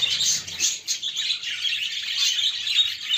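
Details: Budgerigars chirping around their nest while cleaning it; dense, continuous high twittering and chattering chirps with no pauses, several birds overlapping throughout.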